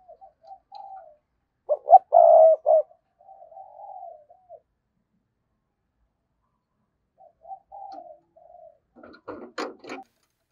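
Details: Spotted dove used as a decoy, calling in the 'thúc' and 'gáy gọi' style to provoke wild birds. Soft low coos build into a loud three-part coo, then quiet, more soft coos, and brief scratchy clicks near the end.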